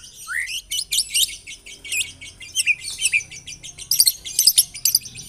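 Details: White-rumped shama song played as a lure (pancingan) to set other shamas singing: rapid, varied high chirps and short trills, slurred notes, one rising whistle near the start, in bursts about twice a second.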